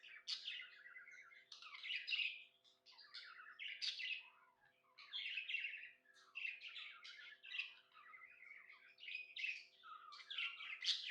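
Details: A happy budgerigar warbles in rapid phrases of chirps and buzzy squeaks, each burst lasting one to two seconds with short pauses between, set against a faint constant hum.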